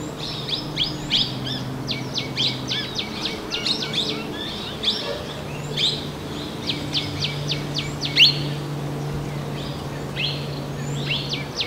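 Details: Small minivet (Pericrocotus cinnamomeus) in the Narsapur forest range, India: bursts of thin, high, sharp notes in quick runs, several groups across the clip, over a steady low hum and faint rural background noise.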